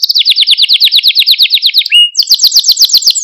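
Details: A Malta canary sings for stimulating and training other canaries: a loud, fast rolling trill of sharp descending notes repeated about eight per second, then a brief upward slur and a higher, quicker trill.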